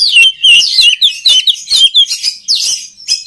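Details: Short burst of oriental magpie-robin song, played to train other magpie-robins: rapid rising and falling whistled notes, tightly packed and loud.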